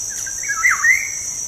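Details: Black-naped oriole giving a brief melodious phrase meant to encourage pet birds to sing: a few light notes leading into a swooping, liquid whistle and a bright rising end, against continuous insect trilling.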